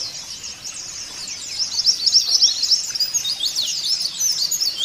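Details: White-eye song played to prompt caged white-eyes to sing: continuous fast, high, thin twittering of short sweeping notes, growing fuller after the first second and staying steady to the end over light background hiss.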